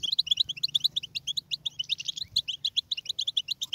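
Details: A European goldfinch delivers a fast chattering song of sharp, high, metallic chirps packed closely together, with a brief quieter gap near the middle and a low hum in the background.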